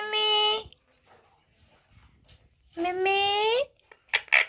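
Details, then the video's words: Talking parrot indoors giving two drawn-out, voice-like syllables, the second rising in pitch at its end, separated by a quiet gap and followed by a couple of short, harsh bursts. "Parrot Talking video || Talking parrot || Batooni Tota"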